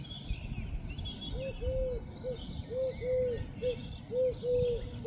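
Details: Eurasian collared dove at home in Ljubljana, from the attic, on 19 May 2024, giving soft, hollow three-note coos, short-long-short, about every one and a half seconds over a low background rumble.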